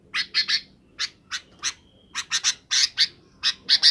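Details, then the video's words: In the afternoon a sooty-headed bulbul calls its companions to roost, giving about a dozen loud, scratchy squawks in loose groups of two or three, briefly joined by a thin steady whistle. "suara kutilang di sore hari"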